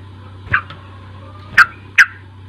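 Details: A sooty-headed bulbul singing as a lure to make a young bird sing: one softer chirp, then two loud, abrupt, slurred notes close together. A steady low hum runs underneath.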